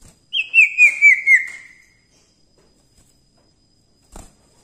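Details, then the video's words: Common iora in lively song, for training other birds: one falling whistled phrase of five linked notes lasting about a second and a half, then silence and a faint knock. "cipoh gacor ampuh untuk masteran"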